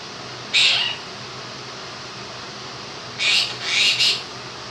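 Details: Pet Quaker parrot, two years old and known to sing bits of 'If You're Happy and You Know It', makes a single raspy chirp and then a quick burst of three, all over a constant fan hiss.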